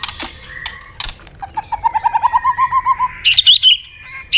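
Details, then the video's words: Fighting song of a White-rumped shama, meant to provoke a rival: a few sharp clicks, then a steady run of about fifteen short rising whistled notes, closing with bright high chattering phrases. "chòe lửa tạch đuôi âm kép kích lửa hiệu quả.dìu lửa chuyền mùa 2 hót đấu lên lửa cực nhanh"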